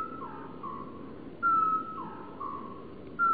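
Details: A male great tit sings in early spring sunshine on 25 February 2014, giving clear, pure whistled notes at one steady pitch, a loud phrase about every two seconds with softer notes between, over a faint hiss.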